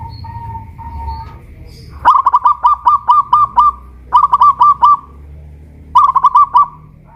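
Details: Local Pajajaran zebra dove from Kuningan, West Java, a kept bird singing while hoisted on a tall pole; a soft low coo, then three phrases of rapid stuttering coos, each closing on a drawn-out tone, separated by pauses.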